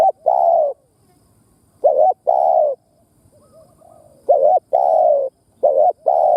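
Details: Spotted dove kept as a decoy, cooing in urging and stuttering styles meant to rouse other doves. Paired notes, short then long, follow in quick succession. Faint softer coos sound between phrases.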